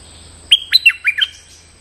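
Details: Lure song of a stripe-throated bulbul for drawing in a resident territorial bird: a short run of five clear, sliding whistled notes, bright and rising then falling, with near silence around.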